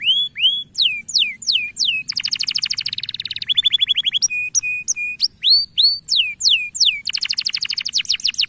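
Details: Male canary song used to lure young canaries into singing: rapid mix of downslurred whistles, buzzy trills and fast repeated chips, a steady high thin tone running throughout.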